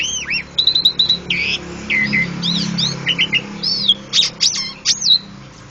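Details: Javan pied starling from Indonesia giving a varied, fast song of looping whistles, clipped chirps and short rising and falling notes, loud and bright throughout, with pauses between phrases and a faint low hum underneath.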